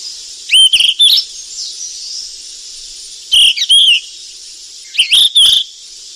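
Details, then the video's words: Golden flycatcher in the wild while feeding its chicks: three loud bursts of bright, sharp chirped phrases with upward-curling whistles, spaced about two seconds apart over a steady high hiss of background insects. "BURUNG SIKATAN EMAS YG CANTIK DI ALAM LIAR LAGI LOLOH ANAKNYA PLUS SUARA MASTERAN"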